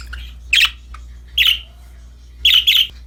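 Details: Happy budgerigars at play with a new toy give three bursts of loud, harsh chirps, the last a quick double call, each about a second apart, with a faint soft note in the pauses.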